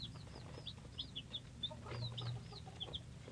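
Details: Three-day-old chicks of mixed breeds give clear, arching high peeps in rapid succession, several birds overlapping, over a low steady hum.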